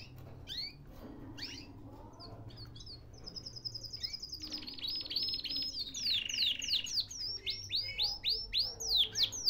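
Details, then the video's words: Caged canary in Baghdad, Iraq, starting with scattered sweeping chirps over a low background hum, then breaking into a long, bright, rapid trill with buzzy rolled phrases and fast repeated notes that grow louder toward the end. "تغريد كناري"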